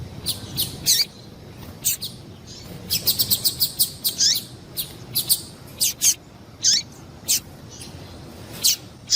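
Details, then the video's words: Female double-collared seedeater calling, used by breeders to excite and heat up males: short, sharp high chirps, singly and in quick clusters of three to six, some with downward-sweeping tails, spaced irregularly across nine seconds over faint background hiss. "Melhor Piado de fêmea de papa capim para Foguear e Esquentar papa capim"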